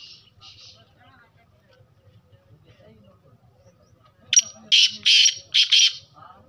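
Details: Black francolin, a kala teetar of the Sheedi Lakka type, giving a run of four harsh, broadband grating notes in quick succession after a few seconds of near silence with faint low background hum.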